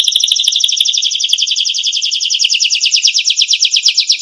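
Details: Canary song recorded to train other songbirds: a continuous fast rattling trill of repeated bright notes, becoming slightly more spaced and pulsing toward the end.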